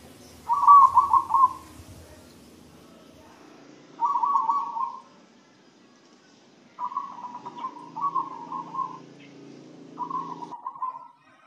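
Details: Zebra dove fed a herbal spice feed mix and said to sing diligently: five rolling, trilled cooing phrases at mid pitch, each about a second long, spaced roughly every two to three seconds, over a faint low background hum.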